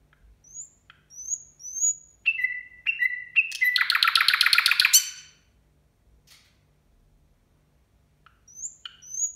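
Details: Nightingale song at New Year; thin high whistles, then paired lower fluting notes building into a loud fast rattling trill, a pause, and more high whistles resuming.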